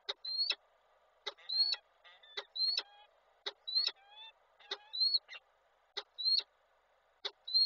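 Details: At a nest in Koszalin on 23 July 2023, a male falcon meets the female: a sharp click followed by a short, high, rising whistled note, repeated roughly every second, with faint lower overtones on some notes.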